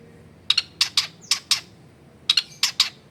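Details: Long-tailed shrike song played as a lure to get other shrikes singing, recorded at home in a crowded neighbourhood: paired harsh, broadband chattering notes in short clusters separated by brief pauses.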